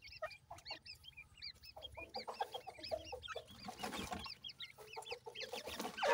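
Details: A dense chorus of high, arched peeps from grey francolin chicks, repeated many times a second from several birds at once, with a soft rustling noise swelling near the end.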